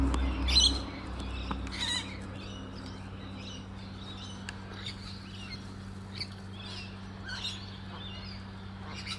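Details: Little corellas feeding on African tulip tree seeds give a few loud, harsh screeches early on, then softer scattered squawks and chatter, over a steady low hum.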